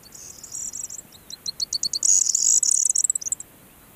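A corn bunting sings: high, dry ticking notes speed up into a glassy, jangling trill, like a bunch of keys shaken, lasting about three seconds.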